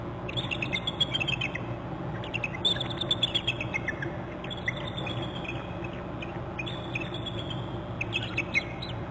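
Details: Pair of bald eagles alerting at their nest territory on Hornby Island in January: series of high, thin, descending chittering notes in bursts, repeated several times, over constant low wind or water rumble.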